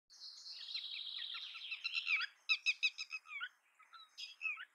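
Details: Red-wattled Lapwing (Vanellus indicus) loud alarm call, a fast, shrill rattle dropping slightly, then a burst of four or five sharp, piercing notes and a few slurred ones.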